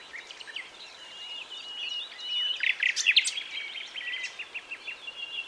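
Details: A common nightingale sings in early-morning sunshine in La Brenne, France, on 22 April: a rich, varied stream of high chirps, quick trills and sharp whistled notes, louder in the middle, over soft background hiss.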